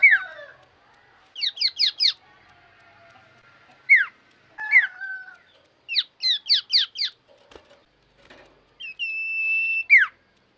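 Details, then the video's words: Common iora singing vigorously, meant to excite rival ioras: groups of three or four quick downslurred chirps, single sharp descending whistles, and a sustained level whistle near the end. "BURUNG CIPOH GACOR SEKALI PUTAR AMPUH BIKIN CIPOH APAPUN LANGSUNG EMOSI"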